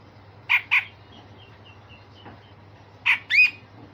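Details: Grey-cheeked bulbul giving a rough, raspy song in the besetan kasar and sharp tembakan style, used for training other songbirds: two harsh squawking notes in quick succession, a long pause, then two more, the last with a rising buzzy sweep.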